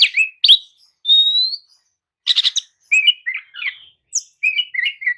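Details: Oriental magpie-robin lure song used to coax dull birds to answer: a long rising whistle after two sharp notes, a burst of clicks, then repeated short warbled phrases.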